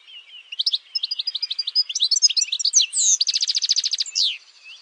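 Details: Campero European goldfinch song with rapid twittering notes leading into a fast, rattling trill and a final sweeping slur.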